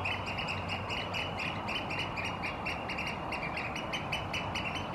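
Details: Competing Eurasian oystercatchers in a territorial dispute in Helsinki, Finland, April 2022, piping-display with necks stretched stiffly forward, later walking side by side: a fast, shrill, overlapping chorus of repeated high notes over steady low background rumble.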